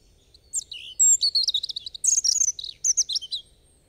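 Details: Bright, fast European robin song with high trills, chattering notes and sharp up-and-down whistles, delivered in a continuous three-second phrase against a quiet background.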